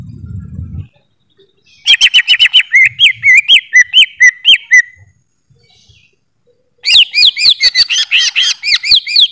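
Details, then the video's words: Greater green leafbird giving two bursts of sharp, ringing whistles, some looping up and down. The first phrase lasts about three seconds. After a pause, a second, denser run of bright notes follows. A short low rumble comes before the song. "Suara Burung Cucak ijo"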